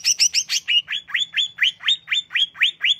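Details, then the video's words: Greater green leafbird singing a relaxing song meant to rouse emotion: a steady run of quick, upward-slurred whistled notes, about four each second, clear and bright over a faint low hum. "Relaksasi pembangkit emosi cucak hijau"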